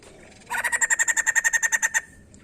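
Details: White-crested laughingthrush, recorded to prompt other birds to sing: one brief burst of about fifteen quick, loud ringing notes delivered at an even pace, then silence.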